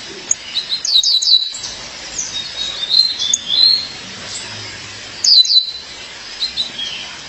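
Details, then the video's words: Violaceous euphonia female calling to her partner, giving quick high down-slurred notes in a burst, then thin wavering whistles and another sharp cluster near the end. "Fêmea de Guriatã, chamado seu parceiro"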